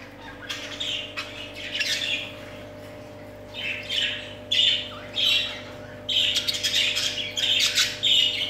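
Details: Pet budgerigars indoors giving bursts of harsh, scratchy chirps and squawks separated by brief pauses, with a constant low hum in the background.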